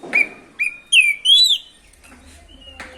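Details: Lure song of an oriental magpie-robin (kacer) singing continuously ('ngerol') to stir rival birds: four loud whistled notes, some gliding upward, followed by quieter scattered chirps.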